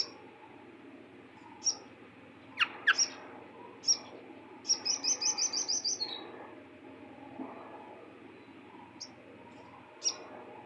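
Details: Bar-winged prinia song: scattered high, sharp notes, then a fast run of about eight even, buzzy high notes. A few more isolated notes follow, plus a brief lower sweeping sound and faint background hum.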